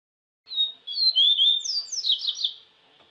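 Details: Wild double-collared seedeater song: clear, sliding whistles lead into a run of rapid, falling, slightly buzzy notes lasting about two and a half seconds, then fading. No other sounds stand out.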